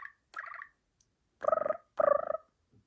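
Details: Pet budgerigar talking, upset after a nail trim and then happy: four short, buzzy, word-like chattering bursts, the last two louder and pulsed, in a quiet indoor setting.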